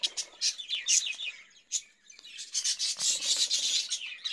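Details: Caged budgerigars produce a rapid series of rasping, chirpy notes, pausing briefly before resuming a thick, high-pitched scratchy warble.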